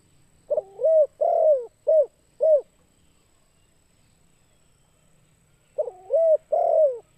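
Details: Spotted dove calling to lure other birds. A phrase of four coos, with the second the longest and falling in pitch, is followed by several seconds of quiet before a new phrase starts.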